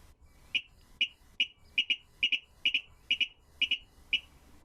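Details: Virginia Rail played back in a talk on monitoring secretive marsh birds in Maine: a clicking song, not melodious but distinctive, a series of sharp double-noted ticks repeated about twice a second, with a low hum beneath.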